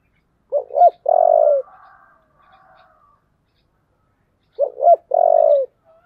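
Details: Spotted dove in the 'giọng thổ' voice style, calling while urged to fight: two cooing phrases, each a few quick short stuttering notes and then a long, steady low coo, about four seconds apart, with faint softer cooing between.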